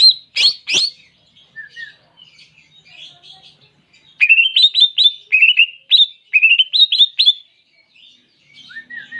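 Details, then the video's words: Greater green leafbird in full song, opening with sharp high notes, then a lively run of quick rising whistled phrases repeated in close succession, ending with softer chirps. "Cucak Ijo Tembakan Jernih"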